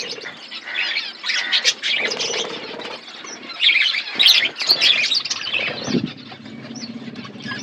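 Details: Chirping budgerigars kept as a colony: overlapping high warbled chatter and squeaky notes rising and falling in loudness, with a brief low rumbling near the end.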